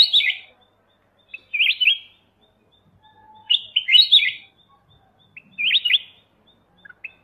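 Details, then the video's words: Short, bright song phrases of a Black-crested bulbul, clusters of fast slurred whistles roughly every two seconds, clean background with little other sound. "Black Crested Bulbul Call And Song"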